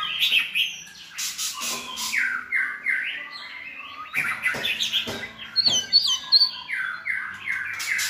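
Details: Several white-rumped shamas with good voices sing to train a selected young shama: rich, varied whistled phrases, sliding and warbling notes, high trills, and sharp broadband clicks and knocks throughout.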